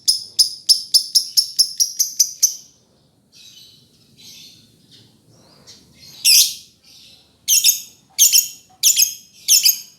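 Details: Lovebird giving a rapid run of about nine shrill, harsh chirps over two and a half seconds, then softer scattered notes, followed by five loud rasping chirps in quick succession.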